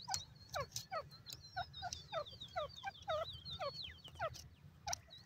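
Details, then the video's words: White francolin calling in a steady run of sharp, descending, hooked notes about three a second, overlapped throughout by warbling high whistles of other birds and a low rumbling background. "irani teetar voice, white francolin voice, teetar bird"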